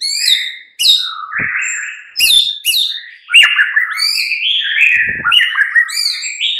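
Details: White-rumped shama mid-morning lure recording: sharp chirps, then a long rolling warble of rising and falling whistled notes that runs almost without pause to the end.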